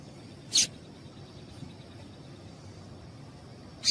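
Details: Two short, piercing high chirps about three seconds apart from a female yellow-bellied seedeater, her piado call meant to stimulate males to sing, over faint steady hiss.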